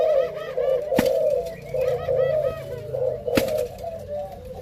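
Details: Spotted doves in a captive breeding pairing give continuous low, throaty cooing. Two sharp clicks or knocks cut through, and faint higher chirps from other birds sit in the background.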